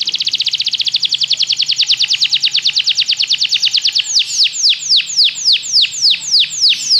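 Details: Belgian canary singing as a training model for other canaries: a rapid, bright, even trill for about four seconds, then slower, separate downward-swooping whistles repeated roughly twice a second.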